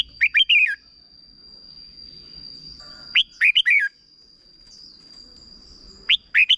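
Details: Red-whiskered bulbul giving a brief 'double' style song for teaching young birds: lively phrases of four quick, warbling whistled notes repeated roughly every three seconds against a steady faint high tone.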